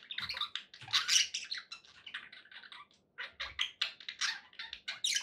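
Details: Cheerful budgerigars kept as pets, chattering nonstop in rapid, harsh twittering and squeaky chirps, a short silence past three seconds, then more lively buzzy warbling with faint low knocks.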